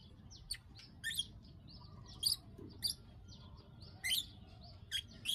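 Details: Lure recording of a Bar-winged prinia giving klik klik calls to bring on breeding condition: scattered sharp high clicks and short chirp clusters about once a second over a faint low rumble.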